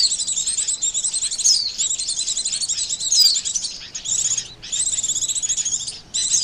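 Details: Oriental white-eye calls used as a trapping lure: dense, high, thin chattering twitters running almost continuously, with brief breaks near four and six seconds.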